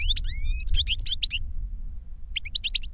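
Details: European goldfinch reclamo song from a master bird that taught a novice through a CD of its singing; a drawn, slightly rising whistle, then clipped twittering notes, a pause, and a final quick chatter over a low rumble.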